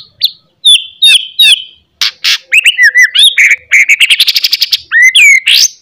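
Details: White-rumped shama morning song, loud and chattering, used as a lure to stir a shama's fighting spirit: sharp high chips, then a fast string of rising whistled notes and buzzy trills ending in a clear downslurred whistle.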